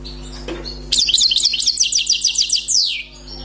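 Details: Wild European goldfinch, newly caught, sings with a song described as error-free: a dense two-second volley of very high, tinkling, rapidly repeated notes ending in a downward slur, over a low hum.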